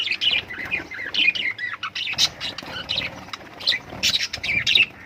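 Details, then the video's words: Lovebirds chirping: dense, overlapping high chirps and short squawks in quick bursts, several callers at once, continuing without a break through the whole stretch. "love birds singing sounds"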